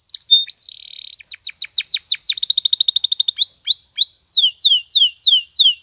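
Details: Spanish Timbrado canary song for training canaries to sing, morning: a short buzzy trill, a chain of falling sweeps, a quick rattling roll, then clear whistles and slower, descending slurred notes.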